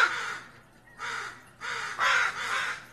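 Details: Northwestern crow giving alarm caws at a raccoon: loud, harsh, raspy caws in quick bursts, about five in three seconds, the later ones running close together.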